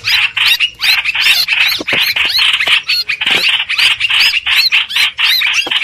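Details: Harsh, squawky chatter of a streak-eared bulbul used as a trapping lure, with quick up-slurred notes strung together in busy phrases and a few short breaks.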